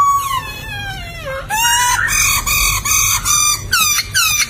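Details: Laughingthrush (poksay) song used for tutoring songbirds: a long harmonic note gliding downward, then a series of loud, rich, rasping phrases repeated at about half-second intervals.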